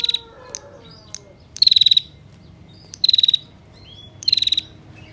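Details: Female bar-winged prinia giving a long-running rattling call, used as a lure to make male prinias call; three short, dry, rapidly ticking high bursts, each about a third of a second, spaced over a second apart, over faint low background hum.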